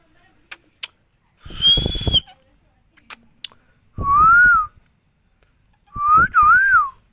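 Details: Green parrot in India, a talking pet, gives a high flat whistle over a rough undertone, then a lower arched whistle, and finally a doubled wavering whistle, with a few clicks between the calls.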